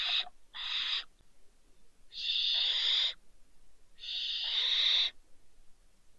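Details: Two young barn owls fallen from a balcony at Riet Vell reserve in the Ebro Delta, Spain, in late December, giving harsh, broadband hissing screeches about a second long, repeated with short pauses.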